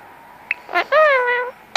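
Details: Pet male Indian ringneck parakeet during cuddle time, seeking petting: a brief click and short note followed by one sustained, gently wavering harmonic phrase lasting about half a second.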